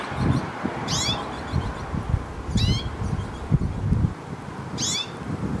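Hooded siskin giving three brief bursts of high, wavering, twittery notes about two seconds apart over a steady low rumbling background noise.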